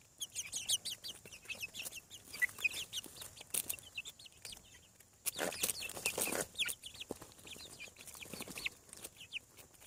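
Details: Hatching chicks on a farm peep continuously: many thin, high, falling cheeps overlapping in a busy chorus, with a burst of broadband rustling noise midway.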